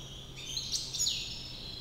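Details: White European goldfinch, recorded in Climat de France, Algiers; a short burst of high twittering and a bright rising-falling whistle, with faint low background hum.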